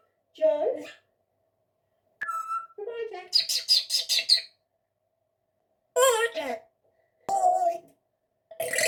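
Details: Rescued female Congo African grey parrot, a pet kept indoors, imitating coughing, farting and burping noises. Separate bursts: a nasal, harmonic squawk, a rapid series of rough broadband pulses, and then raspy, grating croaks, with silence between them in a small room.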